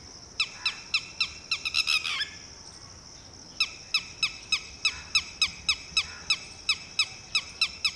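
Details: Titehri or Red-wattled Lapwing parent warning its freshly hatched chick to take cover: a rapid cluster of shrill notes, a brief pause, then a steady series of sharp, evenly spaced piercing calls about three or four per second.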